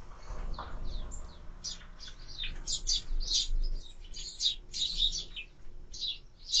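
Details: Sparrows at a bird feeder, recorded on a bird camera: a busy run of short, high chirps and twitters, several birds overlapping in quick bursts, with low rumbling handling noise beneath.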